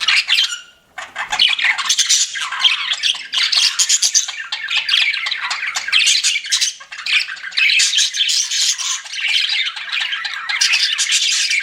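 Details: Several pet budgies chirp together in a busy, overlapping chatter of harsh squawks and quick twittering notes. A brief quieter moment near the start gives way to steady, loud, scratchy warbling through the rest.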